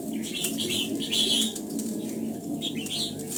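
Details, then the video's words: Morning song of a red-whiskered bulbul in voice training for the old-forest double-note style: bright, slurred whistles rise and fall in quick clusters over a constant low background rumble. "Luyện giọng cho chào mào hót sáng, ép chào mào hót âm kép già rừng hay tuyệt!"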